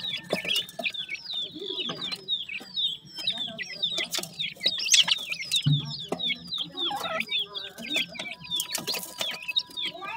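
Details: Partridge chicks being fed: a dense chorus of thin, high, downslurred peeps repeated rapidly and overlapping from several chicks, with softer low clucking notes underneath.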